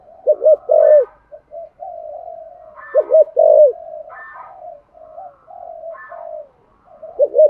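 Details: Spotted dove cooing 'giọng thổ' style to urge other doves to coo; quick doubled low notes followed by a long, soft, wavering coo, the phrase repeating about every three seconds with faint higher warbles.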